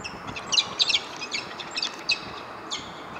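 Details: Peregrine falcon giving harsh, scratchy high notes in quick bursts, roughly ten over three seconds, over steady hiss; Delft, 17 March 2013, nesting pair with new egg on 80 m building roof fighting an intruder for over an hour.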